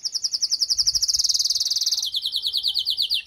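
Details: Post-moult call of a female canary meant to stimulate the male: a high, fast trill that steps down into a slightly lower, looser rolling trill.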